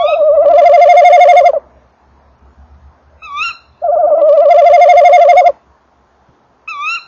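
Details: Tawny owl male arriving at and entering his nest box on a December evening, 19:48, recorded close by; two long quavering trills, each followed by a short, rising, nasal note from the female farther away.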